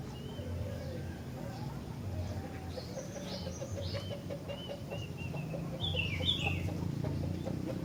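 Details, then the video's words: Sooty-headed bulbul singing: a run of short, thin chirping notes repeated rapidly, then a brighter, louder warbled phrase near the end, over a steady low rumbling hum. "Kicauan Gentilang Istimewah"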